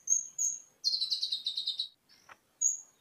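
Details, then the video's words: Olive-backed sunbird, known as kolibri ninja, in a training recording for cage birds with cililin-style filling: high thin whistles, then a rapid run of about ten buzzy trilled notes, a short lower rasp and a final whistle. "Kolibri ninja Isian Cililin cocok buat masteran"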